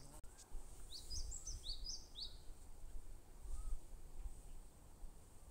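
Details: Bar-tailed (Himalayan) Treecreeper, Certhia himalayana, in northern Indian subcontinent forest, gives a quick series of five or six very high, thin, sibilant notes over about two seconds, against a steady low rumble of wind or distant traffic.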